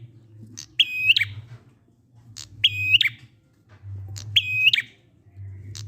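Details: Ngalun-style prinia song meant to lure quiet prinias into calling. Three phrases, each a sharp tick leading into a level, bright whistle that closes with a snap, spaced roughly every 1.7 seconds, with a low background drone.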